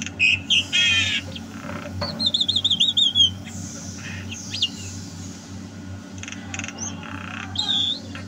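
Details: Javan myna singing energetically in 2022: a harsh nasal burst, then a rapid warbled trill of repeated buzzy notes lasting about a second, followed by scattered squeaks and whistles over a steady low hum.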